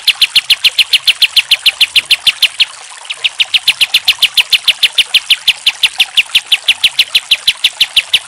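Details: Pied triller master song, kapas tembak, meant for teaching other songbirds: a quick, regular series of shrill, high chips that stops briefly in the middle, then carries on at the same pace.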